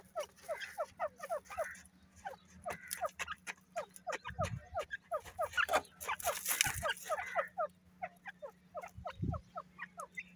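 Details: Irani teetar, a francolin, calling while playful. Short, sharp notes come in quick rhythmic bursts of four to six, repeated over and over, over a steady low hum with a few thuds.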